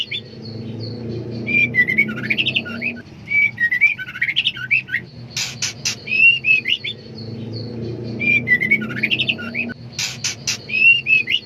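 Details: Female white-rumped shama in heat calling for a male: repeated bursts of whistled, wavering notes and sharp broadband clicks, a phrase pattern that recurs about every five seconds, over a low steady background hum.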